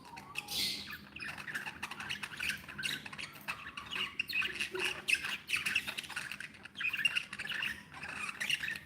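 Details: Pet budgies, called happy, keep up a continuous flock chatter of scratchy squawks and sharp chirps, with louder bursts around the middle and end.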